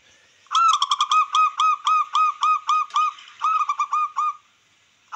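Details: Zebra dove of the local wild type, singing to excite rivals and raise breeding drive: one long, loud run of about twenty quick, clipped coos lasting some four seconds, then silence.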